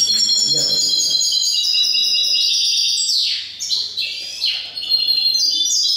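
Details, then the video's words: European goldfinch singing at an indoor finch song contest including hybrids, Cádiz, Spain, 21 April 2019; bright high twittering and tinkling phrases with rapid descending slurs, continuous and fast, a faint low hum beneath. "VI CONCURSO DE SALON DE CANTO DE FRINGILIDOS. MIXTOS JILGUEROS"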